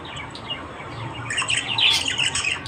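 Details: Australian budgerigars chattering in the morning: dense buzzy warbles and squawky chirps overlapping, busiest and loudest in the second half.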